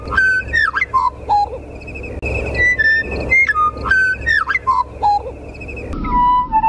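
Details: A meadowlark, western or eastern uncertain, in extreme northwestern Kansas a few miles west of Goodland, sings clear, slurred whistles sliding down in pitch, the same phrase repeated twice about three and a half seconds apart, over faint background noise.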